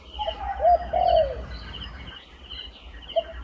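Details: A wild turtle dove gives a couple of hollow coos then a longer slurred croon, followed by a lone short coo after a pause; a high insect drone hums continuously under faint low rumble.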